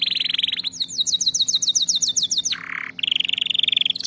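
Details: Canary in full training song: a loud fast trill, a run of sharply descending sweeps, a brief lower buzz, then another rapid high trill, all strongly repeated and rhythmic.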